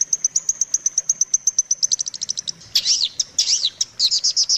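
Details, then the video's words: Long-tailed shrike tutor song for training shrikes: a string of thin, high pips that speeds into a rapid run, then gives way to looping, warbled phrases of sliding notes. "suara masteran burung cendet paling di cari"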